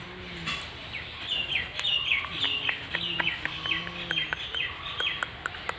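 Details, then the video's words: Parrot, with short, sharp, squeaky chirps and clicks in quick, irregular bursts of high notes, over a low rumble of outdoor background noise. "Parrot Talking Everything"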